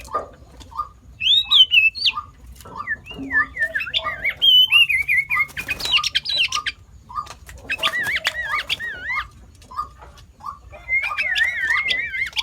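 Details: Sooty-headed bulbul, a mimic of more than five bird species, giving wavering whistled phrases and quick rising notes over a steady series of short, low chirps repeated about every half second, with occasional sharp clicks.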